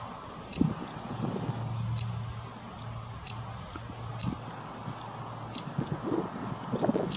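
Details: Cetti's warbler fledgling at RSPB Middleton Lakes on 3 August 2023 gives thin, very high, sharp notes about once a second, over a faint low hum.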